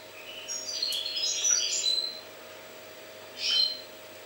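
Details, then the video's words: Goldfinch in Jagodina singing a jumbled twittering phrase of about one and a half seconds, then pausing before a single short chirpy note; a steady low electrical hum runs throughout. "Stiglic-Jagodina 5"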